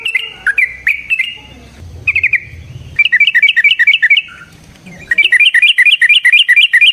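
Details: Yellow-vented bulbul fighting song to provoke a rival: a few sharp opening notes, then two long runs of quick, evenly spaced chattering chirps, the last continuing steadily to the end.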